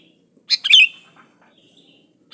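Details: Sooty-headed bulbul (kutilang) song played to lure other bulbuls into singing: a brief burst of bright, chattering notes with a sharp downward-sliding whistle, then a short note at the end.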